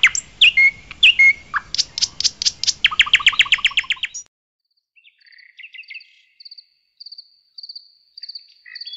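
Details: A nightingale singing at night in a forest: loud bursts of rapid repeated notes and short trills with sharp whistled strokes, then a pause and softer, spaced high chirps.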